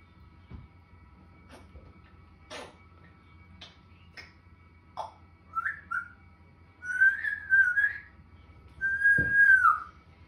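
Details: A four-year-old pet grey parrot (Jako) talking and mimicking: clicks and short sounds, then two long whistled, word-like phrases near the end; the room is otherwise quiet with a low hum.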